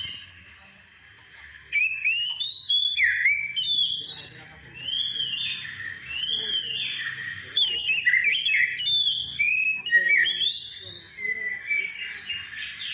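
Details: Oriental magpie-robin song played to provoke other birds into singing: rich run of varied whistles, arching slurs and sharp high notes, delivered in quick bursts with brief pauses, continuous over several seconds.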